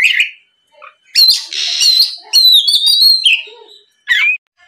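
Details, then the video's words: Oriental magpie-robin singing hard, used to provoke untrained birds into answering: a short low whistle, a long harsh buzzy note, wavering high whistles, then a sharp slurred call. "SUARA PIKAT BURUNG KACER GACOR NGEPLONG"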